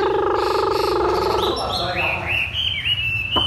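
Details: Captive Chinese hwamei giving 'thắt cổ chai' song: a low, rough, buzzy harmonic passage shifting into a series of rising, stepped whistles at high pitch, over a low steady hum.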